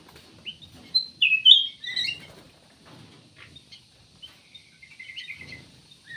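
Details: Cucak emas, or ruby-throated bulbul, gives one strong burst of rich slurred whistles, followed by softer scattered chirps and twitters.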